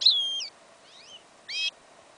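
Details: Song fragment of a yellow isabel goldfinch × canary hybrid, recorded outdoors in a field in winter: a long high whistled note, a soft slurred double note, then a brief harsh buzzy burst.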